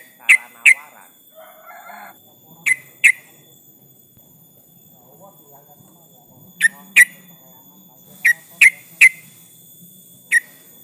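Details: Yellow-vented bulbul in full voice calling a rival, used as a lure to set other bulbuls singing: sharp, ringing chip notes given singly or in pairs at irregular gaps, with a brief muffled murmur early on.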